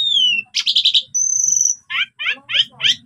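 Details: Singing captive Asian pied starling whose constant, phrase-packed song is played to stir up other starlings: a falling whistle, a grating buzzy trill, a long steady high whistle, then four short rasping notes in a row.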